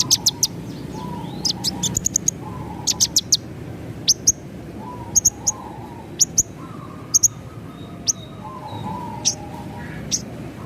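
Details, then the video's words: Javan bush lark singing actively in 'ngerol' rolling style with sharp 'nembak' notes, as a tutor for pet birds: short, high, piercing chirps repeated in small bursts every second or so over a low warbling tone and steady hum. "Masteran BRANJANGAN Gacor , Ngerol Nembak"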